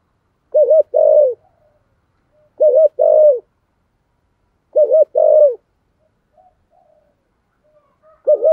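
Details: Spotted dove 'thúc gù' cooing in 'thổ sấm' voice: a repeated two-part unit, a quick double coo followed by a longer falling coo, given about every two seconds.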